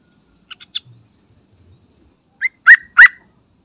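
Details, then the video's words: Yellow-vented bulbul (trucukan) lure recording meant to make wild bulbuls sing: a few soft, short chirps, then a rising note and two loud, full, liquid chirps in quick succession. "Panggilan Trucukan Gacor Isian Istimewa Cocok Buat Trucuk Ombyokan"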